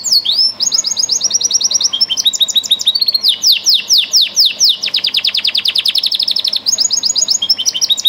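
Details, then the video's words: Domestic canary bred for singing, pouring out continuous high song: fast chains of sweeping, slurred notes repeated several times a second, shifting between tours of upward and downward strokes without pause. "Song canaries singing : Bred for their sweet Canary singing ability"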